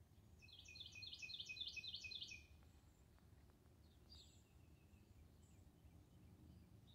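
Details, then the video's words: Cardinal singing on February 4, 2021: a quick run of about a dozen clear, repeated slurred notes lasting two seconds, then fainter distant chirps over a steady low rumble of background noise. "Birdsong, Cardinal"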